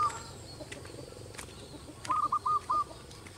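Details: Pair of zebra doves perched on a teak branch enjoying cool air after overnight rain ending a hot dry spell; short series of soft cooing notes near the end, low background hum.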